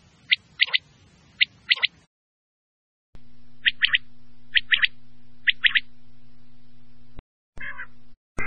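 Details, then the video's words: Quail (batair) giving sharp triple-note calls in regular series, first over quiet background, then over a constant low hum, ending with a few brief clicks and a squeak. "batair ki mast awaz"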